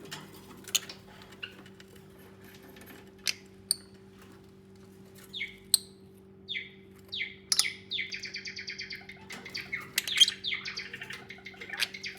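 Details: Lovebirds cuddling and nesting together: sparse sharp ticks and short tweets early on, building toward a cluster of buzzy, harmonic-rich chirps near the end, all against a low constant mechanical hum.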